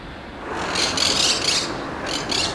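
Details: Monk parakeet in Brussels, Belgium, in March 2011, giving harsh, raspy screeches in two bursts, a longer run followed by two shorter squawks, over a steady background hiss.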